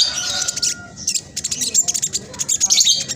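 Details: Black sunbird chattering fast and densely as a lure for birds slow to sing: very high scratchy twittering and sharp ticks in quick succession, with a faint lower steady whistle at first.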